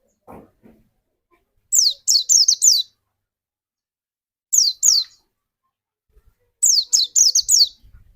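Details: White-eye lure song used to get another white-eye singing: three short bursts of rapid, very high downslurred whistles, three to five notes each, separated by silent pauses of about two seconds.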